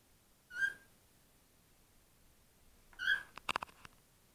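Cockatiel giving two short, rich whistled calls a few seconds apart, followed by quick clicks.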